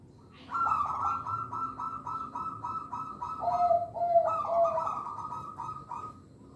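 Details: Local Indonesian zebra dove singing, used to lure young birds and to train caged doves: one long rapid, pulsing trilled coo phrase lasting about five seconds, with a lower, smoother cooing stretch in the middle. Faint low background hum.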